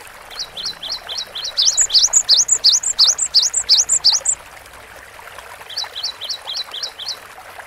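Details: Cinereous tit singing hard for master training audio: short peaked high notes, then a fast series of looping two-note whistles, a pause, and another run of short peaked notes.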